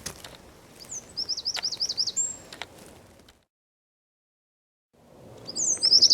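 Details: Singing Eurasian wren recorded at Zamudio's San Miguel de Daño district, 4 December 2019: a shrill, fast wavering trill of repeated high notes, a short silent gap, then the loud high-pitched song resumes.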